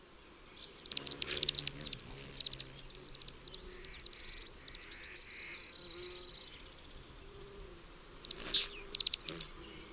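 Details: Calliope hummingbird (Selasphorus calliope) recorded in California, giving bursts of very high, thin, rapid ticking chips with pauses between runs, and a faint drawn-out whistle in the background.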